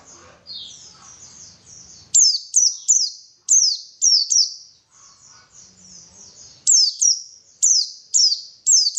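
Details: White-eye, called pleci, singing as a lure to encourage strong song: soft, thin twittering notes at first, then loud, high downslurred notes given in two quick series separated by a quieter passage.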